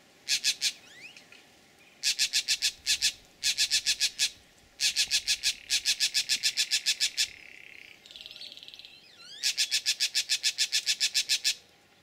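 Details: Green jays scolding a bullsnake with their snake alarm, Laguna Atascosa NWR, Texas, 12 April 2017: rapid series of rough rasping calls in bursts of five to ten, with a brief softer buzzy note between bursts.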